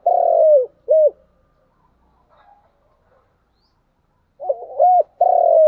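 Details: Cooing of a spotted dove in the chiêu and thúc manner. A phrase ends with a long coo and a short coo. After a quiet gap of over three seconds, a fresh phrase begins with stuttered notes, a short coo and a long drawn coo.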